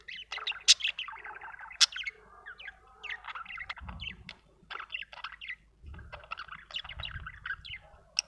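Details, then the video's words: Budgerigar chattering in a busy run of short chirps and scratchy warbled notes, with bursts coming in quick irregular clusters and a few sharp high clicks near the start. "budgie chirping sound"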